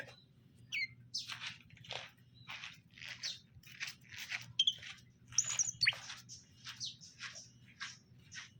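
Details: Greater green leafbird pair, caged male and female being matched: scattered sharp chirps and harsh, noisy notes roughly every half second, with a few thin high whistles, over a low steady hum.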